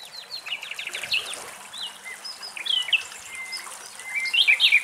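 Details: Wild Common Nightingale singing in Greek nature, recorded in the field. The song is a varied run of short high whistles, slurred notes and brief chirping trills, with a louder, sharp flourish toward the end over a soft background hiss.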